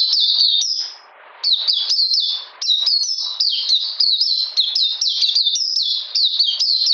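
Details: Oriental magpie-robin on a cold rainy day, 13 June 2020: bright, high chirped phrases, a short silence near one second, then rapid repeated sharp notes resume.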